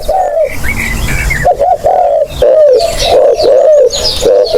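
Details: Spotted dove lure call with cooing running almost continuously: a long low coo, then a rapid string of rounded coos repeated close together, backed by faint high chirping of small birds.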